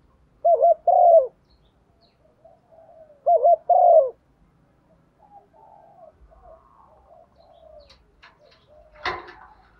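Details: Decoy female spotted dove cooing to attract males in the morning: two low mellow coo phrases about three seconds apart, then soft faint calls and a brief sharp knock near the end.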